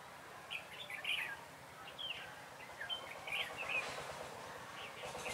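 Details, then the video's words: Red-whiskered bulbul singing as a lure for trapping, 3 November 2017; scattered warbled, chirpy phrases amid louder broadband rustling noise toward the end. "Bẫy chào mào Cánh đuôi liên hoàn"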